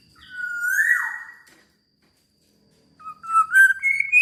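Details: Black-naped oriole singing very actively: a clear, fluted whistle held level, then sliding down, a pause, and a series of short whistled notes stepping upward in pitch.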